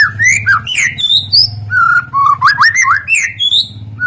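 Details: White-rumped shama song, played as a lure to get other birds singing: rich, varied whistled phrases with rising and falling slurs and quick upward flicks, over a steady low hum.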